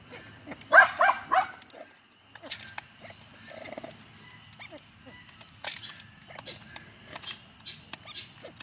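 A Kenya crested guineafowl gives a loud burst of harsh, cackling notes, then scattered softer clucks.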